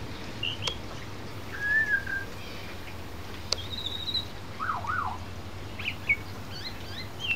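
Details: Pied butcherbird sitting on a verandah fence in rain, imitating sounds it has learned, such as other birds and a car alarm: clear whistles, a wavering up-and-down warble, and rapid chirps, with rain patter and sharp drips.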